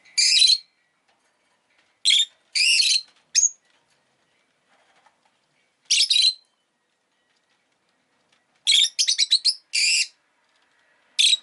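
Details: Rosy-faced lovebird indoors as a pet, calling in harsh, grating chirps, some single and some in quick pairs, with a stuttering burst of rapid chirps late on, separated by quiet gaps.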